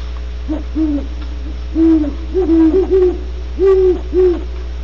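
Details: Great horned owls, Starr Ranch, California: a series of deep hoots, short ones trailing into longer held notes, loosely spaced about once a second, with a steady electrical hum beneath.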